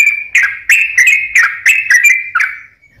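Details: Sooty-headed bulbul, a lure track to get birds singing: a steady string of clear whistled notes, each with a sharp chirped onset, repeated about every third of a second before fading.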